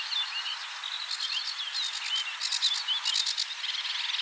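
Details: Sedge warbler song at 53.286375, 22.608654: a fast, chattering jumble of scratchy notes and short sweet whistles, with bursts of rapid buzzy trills, over a light outdoor hiss.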